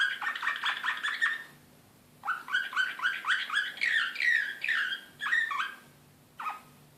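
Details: Excited Serbian slavujar canary, Belgrade 2016, singing bursts of quick repeated chirps, pausing, then rolling rising trills and a few isolated notes, with a low hum behind.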